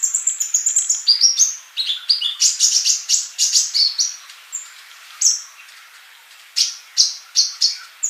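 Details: Sunbird song used as tutor material for active singing opens with a fast, steady trill of high chirps, shifts into chattering runs of falling notes, pauses, then adds isolated sharp whistles spaced apart.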